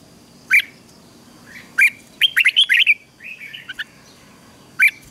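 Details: Red-whiskered bulbul ché song used in bulbul song training: isolated sharp chirps about every 1.3 seconds, a rapid run of bright slurred notes in the middle, a softer warbled tail, and a final lone chirp.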